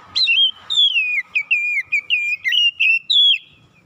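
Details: An Oriental magpie-robin sings in the morning, a run of sweet whistled notes falling and rising in quick succession, about nine phrases packed into under four seconds.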